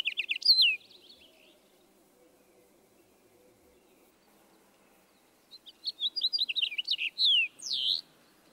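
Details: House finch song, raspy and burry: a brief burst of notes, a pause, then a quick run of varied warbles ending in the harsh slurred note typical near the song's end.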